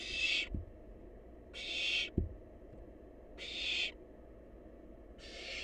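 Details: Barn owl chick, wild, feasting on leftover food, repeats a breathy screeching hiss about every one and a half seconds, four bursts, with a couple of soft knocks between them.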